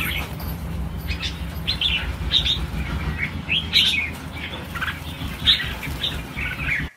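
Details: Red-whiskered bulbuls pouring out during a release of 1000 birds, with clustered chirping notes in short bursts, some wing flutter, and a constant low rumble underneath.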